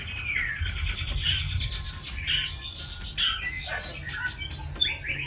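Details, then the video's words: White-rumped shama singing a varied run of slurred whistles, some rising and some dropping, mixed with short buzzy notes, over a constant low rumble. "Choè lửa"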